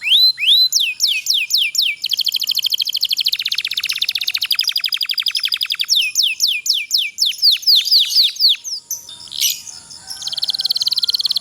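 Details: Kenari pocong canary delivering an extended rolling song for training idle canaries to sing: quick swooping whistles lead into a long, very fast buzzing trill, then more descending notes and a softer high buzz.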